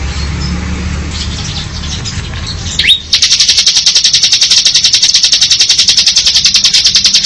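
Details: Bar-winged prinia in ngebren song: after quiet low rumbling, a single sharp rising whistle leads into a sustained rapid buzzing trill of rhythmic high pulses that runs on to the end.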